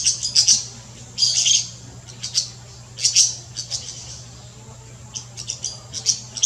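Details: Golden-winged parakeet (Brotogeris chrysoptera) in the Brazilian Amazon gives shrill, high chattering bursts in quick clusters, about one every second, over a faint low hum.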